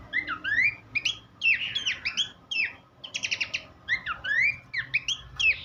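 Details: Horsfield's babbler song played as a tutor for songbirds: clear rising and falling whistled phrases mixed with quick rattling trills, delivered in short bursts with slight pauses, faint low hum underneath.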